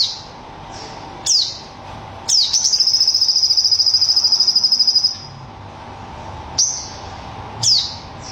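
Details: Crested jay (sogon) in 'tembakan' (shooting) style: a few sharp, high, downslurred notes spaced a second or more apart, then a rapid, machine-gun-like metallic rattle lasting nearly three seconds, followed by more single sharp notes.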